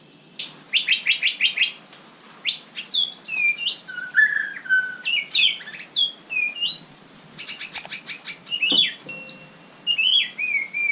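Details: White-rumped shama (murai batu) singing at night: buzzy rattling bursts near the start, then varied clear whistled notes, slurred rising and falling phrases, and another rattling trill, in a quiet setting.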